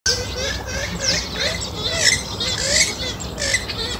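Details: Western swamphen in the wild, a busy mix of squeaky, grating chatters and short nasal notes repeated roughly once a second, layered over a steady low rumble of background noise.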